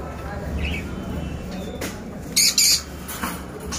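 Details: Budgerigars in Gorakhpur give two sharp, scratchy chirps in quick succession over a low background hum.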